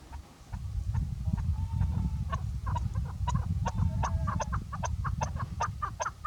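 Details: Female chukar partridge, kept as a hunter's bird, giving short dry clucking notes that start sparse and then repeat faster and faster, over a heavy low rumbling background.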